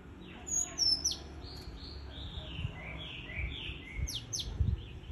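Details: Japanese white-eye singing: very high thin whistled notes and quick descending slurs, then a run of softer warbled notes, with another high burst near the end over faint low hum.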